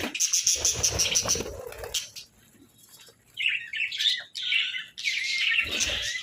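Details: Budgerigars at a breakfast of boiled eggs and breads. A burst of thin, very high repeated peeps is followed by a pause, then rising and falling warbled chirps in short phrases.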